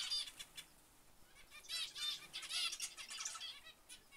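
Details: Zebra finches making short, nasal, tinny call notes, sparse and soft at first, then a dense flurry of overlapping chirps in the second half before tailing off.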